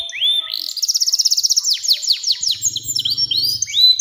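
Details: Singing canary, a long-song recording for coaxing young canaries to sing: a rising whistle opens into a rapid even trill, then sweeping downslurred notes, with a low hum in the background partway through.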